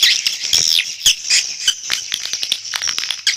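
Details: Swiftlet lure call: dense, high, bright chirps and twittering notes with quick clicking pulses, irregular and overlapping, with no other sounds.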